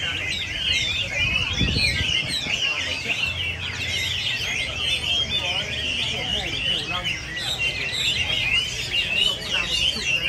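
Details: A massed chorus of Chinese hwameis: continuous, overlapping melodious whistles and trills. A short low knock is heard early on.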